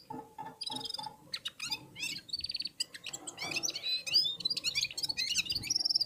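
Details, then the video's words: Red-fronted serin warming up, several birds singing together in unison with other birds: dense, fast, high twittering of buzzy trills and sharp chirps, nearly continuous, with short rapid note strings rising and falling. "Попели поели и опять попели в Унисон Красношапочные вьюрки"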